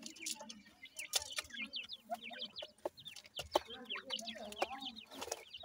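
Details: Feeding grey francolin chicks give a dense stream of quick, high, hooked peeps. Low clucking notes and scattered tapping clicks run beneath them.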